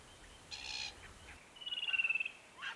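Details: Kings Tableland, Blue Mountains, Australia: South-eastern Glossy Black-Cockatoo (Calyptorhynchus lathami lathami) at a foraging site, 2022. A single short, creaky, wheezing call, followed by another bird's rapid pulsed, descending trill and a brief chirp.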